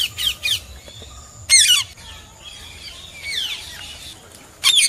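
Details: Slaty-headed parakeet producing scattered bursts of harsh, high squawks: a quick pair at the start, a loud single squawk mid-way, softer distant chatter, then another sharp squawk at the end.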